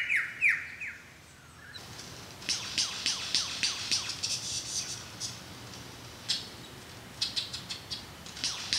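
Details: Male lyrebird performing its mating dance to attract a mate opens with loud, ringing whistles that sweep downward, then breaks into a rapid, uneven run of sharp, high chips, clicks and squeaks.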